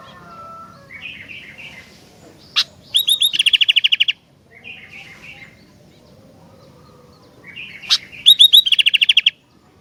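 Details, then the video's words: Sooty-headed bulbul song: a short bubbly phrase of warbled notes, then a sharp click and a fast, buzzy run of rapidly repeated notes, the pattern heard twice with quiet pauses between. "Kicauan Gentilang Gacor Dooor"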